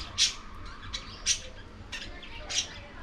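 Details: Lovebirds eating corn; sharp high squawks repeated roughly once a second, about four loud calls with softer ones between, over a low steady hum.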